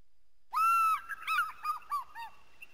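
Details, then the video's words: Bald Eagle gives one long, clear whistled note, then a quick run of shorter piping notes that rise and fall, about three per second. "Eagle Sound"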